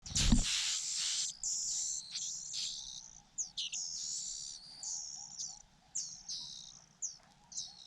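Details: Fujian niltava nestlings begging while the mother feeds them: dense bursts of very high, thin, squeaky chirps, overlapping and repeated rapidly, with a brief low thump at the start.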